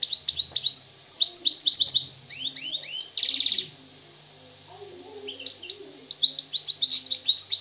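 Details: European goldfinch from Morocco, wild, pouring out rapid high twittering phrases with curling slurred notes and a rasping buzz, a quiet gap, then chattering notes again.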